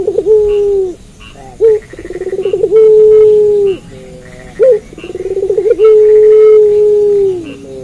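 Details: A lively puter pelung dove coos at night. Each phrase has a stuttering, accelerating roll leading into a long steady coo that drops at its close, separated by short sharp notes, three times.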